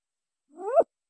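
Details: Green imperial pigeon heard in a lure recording, giving one brief call that climbs steadily in pitch and cuts off abruptly; the surroundings are silent.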